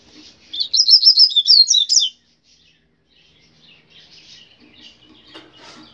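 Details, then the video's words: A Rusty-collared seedeater, named coleiro grego pardo, delivers a quick, lively sequence of high, sweeping chirps and warbles for about a second and a half, followed by quieter scattered twitters and light rustling. "Coleiro grego pardo"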